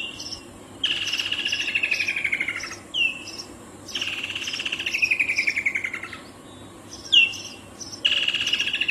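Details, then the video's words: Woodland kingfisher calling three times in quick succession, each a sharp note followed by a rattling, downward-sliding trill, with faint high chirps in the background. "Call of the Woodland kingfisher"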